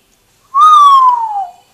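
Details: Pet African grey parrot known for imitating a grandmother speaking Gujarati, producing a single loud clear whistle about one second long that starts steady and slowly glides downward, after a person says bye.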